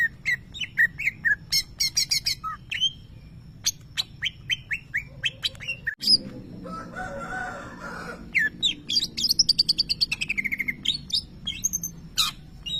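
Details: Greater green leafbird, a champion contest bird imitating a lovebird: long run of sharp chirps and falling whistles, interrupted midway by a loud click and a lower harsh rasping sound, then rapid repeated high chirping resumes.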